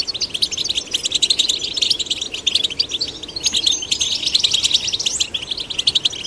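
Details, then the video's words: Male and female goldfinch chicks being stimulated to sing: a dense, unbroken stream of fast, high tinkling twitters and chirps, bright and jangling throughout. "Stimulating male and female goldfinch chicks to sing birds chirping"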